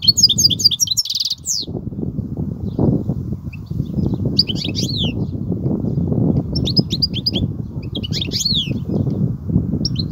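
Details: European goldfinch singing in the Kubiya song style: bursts of fast, high, tinkling twitters broken by short pauses, over a loud, steady low rumble and thumping.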